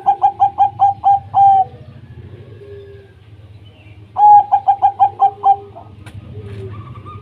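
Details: Zebra dove, local wild type, singing to prompt lazy doves to answer: two bursts of rapid, evenly spaced pulsed coos, each ending in a longer held note, separated by a quiet gap with faint low cooing.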